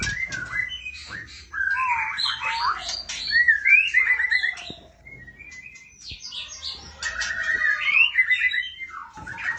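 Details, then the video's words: Female oriental magpie-robin calling to the male: varied whistled phrases and rapid chattering notes, some clear sustained whistles, set against a busy, noisy background. "burung murai betina memanggil jantan"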